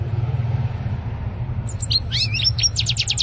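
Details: European goldfinch singing; after a quiet start come bright, rapid twittering notes and short liquid trills, repeated quickly, over a constant low engine rumble.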